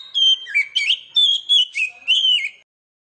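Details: Oriental magpie-robin lure song aimed at young magpie-robins: a short run of about six clear whistled phrases, some dipping and rising, sung loud and clean.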